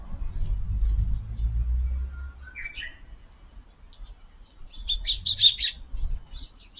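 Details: Eurasian tree sparrows feeding in a garden in light rain at midday on 20 June; a quiet low rumble first, then a cluster of short, high chirps in the second half.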